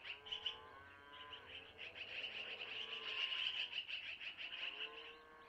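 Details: At a long-eared owl nest in Missoula, owlets beg during a feeding by the mother, who took the food from the male: a nearly continuous stream of high squeaky chirps, with soft lower tones in the background.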